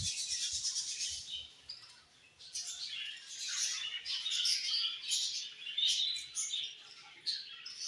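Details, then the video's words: Flock of budgies giving busy, overlapping high chirps and warbled twitters, fading briefly midway before swelling again. "Budgies Chirping"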